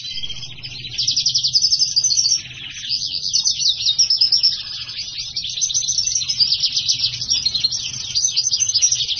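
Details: Hybrid siskin x house finch song: a soft opening, then bursts of loud, fast trilling and chattering twitters, high and rippling, with short lulls between phrases.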